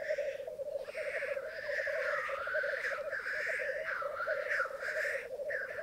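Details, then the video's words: Twelve male and two female black grouse at a bog lek in Mykland, a May 2022 morning; dense bubbling cooing goes on throughout under nearly continuous overlapping wheezy hisses from several birds. "Orreleik i Mykland, mai 2022"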